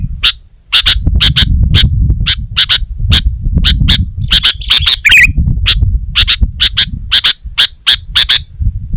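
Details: Sooty-headed bulbul delivering rapid, evenly spaced sharp chips and one brief warble, set against a noticeable low rumbling background hum.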